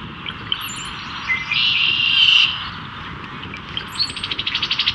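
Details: Brown-headed cowbird male displaying to a female, Cook County, Illinois, spring 2024: liquid bubbling notes swell into a bright sustained whistle, then very high thin squeaks, followed by a fast series of even pulsing notes at the end.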